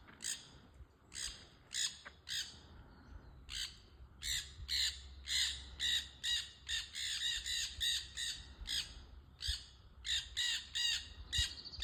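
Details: Noisy parrots on a trail, producing a long stream of raucous, rasping squawks that grow denser and faster midway, roughly two per second, over a low steady background hum.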